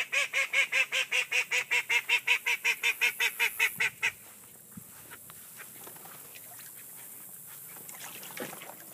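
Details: One of a trio of magpie call ducks giving a fast run of about twenty high, nasal quacks in four seconds, then only faint background rustling.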